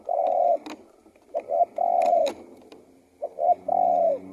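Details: Spotted dove cooing phrases: short coos followed by long smooth notes, repeated about three times. Sharp clicks and a low steady hum are heard in the background.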